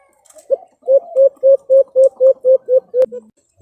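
A White-eared brown dove gives a steady series of about nine short, low, hollow hoots, roughly four per second, with a faint click near the end.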